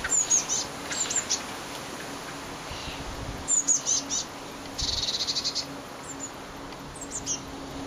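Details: Young Eurasian blue tits taking first steps out of a nest box, windy May 2011: very high, sharp tseep notes and brief buzzy clusters, grouped in short runs separated by pauses, over a quiet background.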